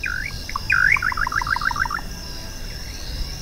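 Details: Little Nightjar (Setopagis parvula) song: a slurred opening note, then a quick run of about a dozen short, bouncing notes, over a steady high insect hum.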